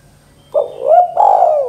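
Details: Spotted dove calling in the "kuk 2" style, meant to get young birds calling: one low phrase of a brief throaty note, a rising-falling coo, then a longer drawn-out rolling coo that fades downward.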